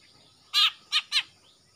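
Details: Young male greater green leafbird from Kalimantan, moulting out of its speckled juvenile plumage with black showing on the front of the neck, singing freely. Three loud, harsh, chattering bursts, the first longest and the next two short, close together.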